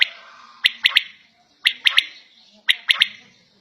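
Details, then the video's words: Three rhythmic triplets from a quail (battair) at home: each phrase a sharp first note and a quick doubled pair, spaced about a second apart over a faint low hum. "Battair Sound In Home"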